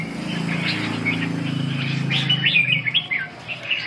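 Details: Red-whiskered bulbul during a song practice session dated 2/6/2012: short chirpy whistled notes around the upper mid range, a low steady hum underneath throughout.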